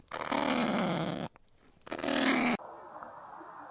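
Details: Kakapo voicing two long, coarse squawks with a throaty rasp, each about a second, separated by a short gap and ending suddenly, then a steady low background hum.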